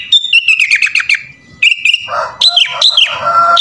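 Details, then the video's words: Kutilang (sooty-headed bulbul) in gacor full isian song: a fast run of sharp chirps, a short steady note, then rasping broad sounds mixed with sweeping whistles. "SUARA BURUNG KUTILANG GACOR FULL ISIAN"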